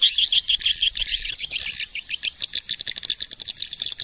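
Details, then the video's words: Swiftlet lure call for attracting birds: a rapid, regular series of buzzy, metallic clicking chirps, about three per second, high and harsh, steady throughout with no other sounds. "SUARA PANGGIL BURUNG WALET"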